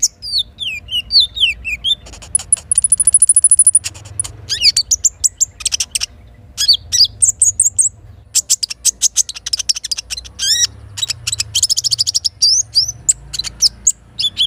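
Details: Little spiderhunter in the morning, its song carrying learned kinin phrases. Descending whistles give way to a long high buzzy trill, then rapid dense chirps and slurred notes over a low rumbling background.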